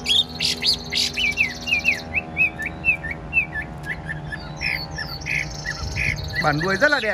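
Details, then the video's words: Caged Chinese hwamei, a spread-tailed bird kept as a songbird, singing: varied rapid whistled notes and slurred phrases, some rising and falling, with other sharp calls, music and talking in the background. "Đuôi xòe hót không bỏ mỏ, chất giọng cực hay"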